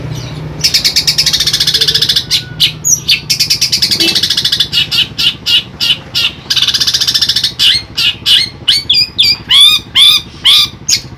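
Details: Long-tailed shrike kept as a caged bird in Pemalang, Central Java, pouring out long buzzy, rattling trains broken into pulses, then switching to a series of clear arched whistles near the end.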